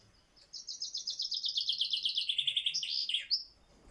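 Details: A male Common Chaffinch sings a quick, bright descending series of about twenty notes that speeds into a rattle and ends with a short flourish.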